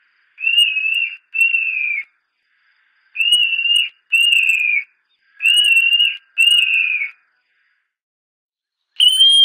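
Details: Montane nightjar (Caprimulgus poliocephalus) song: clear, high whistles given in pairs, each drawn out and falling slightly at the end, with a pair about every three seconds.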